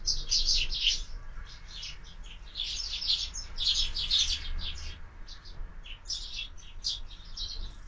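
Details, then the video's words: Sparrows at a window-mounted feeder in the morning, fed year-round, giving a dense run of rapid, overlapping high chirps and twitters with brief pauses, over a low background hum. "Воробьи в кормушке - Утро"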